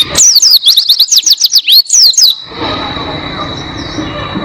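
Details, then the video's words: A lively Oriental white-eye, called pleci, used as a tutor recording for training songbirds: a two-second flurry of rapid, high, downslurred notes, followed by quiet background hiss. "Masteran Pleci Gacor Buka Paruh Durasi Panjang Suara Jernih"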